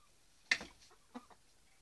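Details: Piñeira hens, a group of domestic chickens: one sharp, harsh cluck, then a softer, shorter follow-up cluck, over quiet background.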